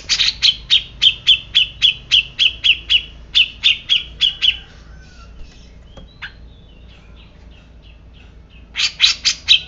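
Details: Grey-cheeked bulbul delivers a long, steady run of about eighteen evenly spaced sharp chips, falls quiet, then starts a fresh burst at the end.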